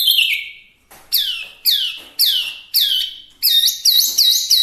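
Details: Chinese hwamei delivering loud, clear whistles: a falling slur, four strong descending notes repeated roughly every half second, then a quick series of looping, rising-and-falling whistled notes.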